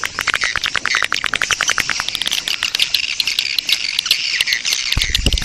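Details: Swiftlet colony breeding-mood lure sound intended to attract swiftlets: quick trains of sharp clicks mixed with high chirping twitters, ending with a brief low thump.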